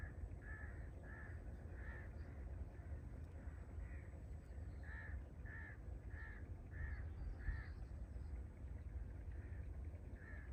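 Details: Crow in a Punjab, Pakistan village, calling a lot in the morning, following a woman and ignoring food thrown to it; a series of short hoarse caws, about ten in quick succession, over a constant low hum.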